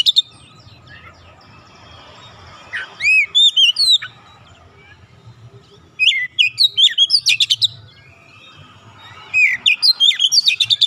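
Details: Oriental magpie-robin, an untrained bird quickly joining in with vigorous song: three phrases of clear ringing whistles and quick chattering notes, separated by pauses of about two seconds, with a low background hum.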